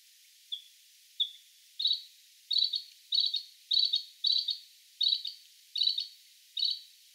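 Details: Bluethroat, Luscinia svecica, with two soft single notes building into a regular series of loud, ringing double notes repeated about every three quarters of a second.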